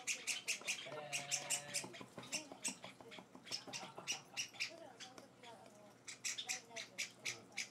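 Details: Hand-fed Java sparrow chicks, several pet nestlings on their fourth day in a new home, beg with rapid, harsh, high chirps in bursts while a person talks softly underneath.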